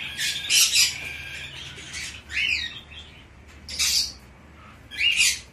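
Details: Tame young Bourke's parrot, Fukuoka, Japan, 10 September 2024: grating squawks and a few rising squeaky notes arrive in separate bursts about a second apart, against a quiet background.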